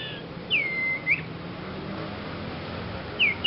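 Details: Young Sirpu bird giving an unusual beginner's song: one long, level whistle hooked up at both ends, then a short upswept note near the end, over faint steady background hiss.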